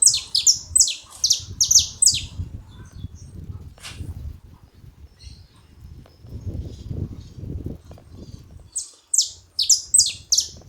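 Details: Saffron finches calling as a group: quick series of piercing, falling chirps open and close the recording, with a quieter stretch of low background rumble between them.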